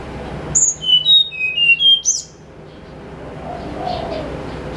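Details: Snowy-browed flycatcher singing clear, flute-like in the morning, used as a lure: a short burst of thin high whistled notes, each lower than the last, then a final rising note, followed by quiet background hiss.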